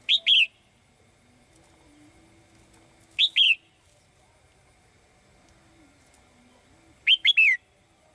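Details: Caged female bird singing cheerfully to call the male: three high phrases several seconds apart. The first two have two notes and the last has three quick slurred whistles, with faint low sounds between.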